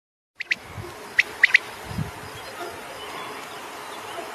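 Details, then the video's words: A common quail sings short, sharp liquid notes: two quick clicks, then a three-note 'wet-my-lips' phrase, over a steady hiss of background noise. "common quail singing"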